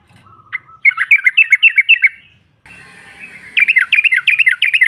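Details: Female sooty-headed bulbul singing to provoke rivals: a thin whistled lead-in, then a fast run of bright, bouncing notes, a hissy gap, and another brisk series of sharp chirps.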